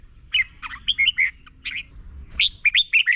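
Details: Red-whiskered bulbul, Thailand, its song played to teach young birds: a continuous string of sweet, rolling slurred whistles, then a brighter phrase of five quick notes.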